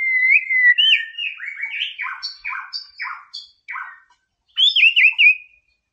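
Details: White-rumped shama in full song, used as training material to rouse a rival's aggression: a long rising whistle, then a rapid run of varied slurred and chattering phrases. After a short pause comes a bright warbled flourish.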